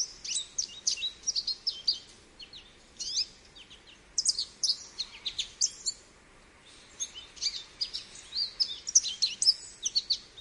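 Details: Singing American goldfinch: bursts of rapid, high twittering and jumbled sweet notes in phrases separated by brief pauses, thin chips and slurred whistles tumbling quickly, over a quiet hissy background.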